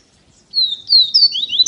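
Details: Double-collared seedeater (coleiro) from Feira de Santana, Brazil, giving a brief run of clear, high, slurred whistles that sweep down and then rise, ending on a sharp upward note.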